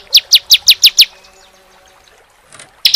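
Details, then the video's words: Ciblek, the bar-winged prinia, in a rapid tembakan style used as tutor song for cage birds: six bright, high, downslurred chirps in quick succession, a quiet gap, then the start of another sharp burst. "CIBLEK SEMI ( CISEM) TEMBAKAN AK-47 ngeclak rapat panjang"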